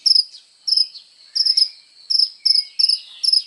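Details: Kolibri ninja sunbird in full song, offered as a model for training songbirds: bright, high-pitched double and triple chips delivered in spaced bursts roughly every half second.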